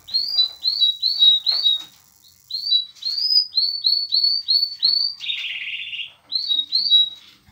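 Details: Canary-linnet hybrid singing a series of repeated short rising-falling whistled notes, about three per second, broken by pauses and one buzzy harsh phrase.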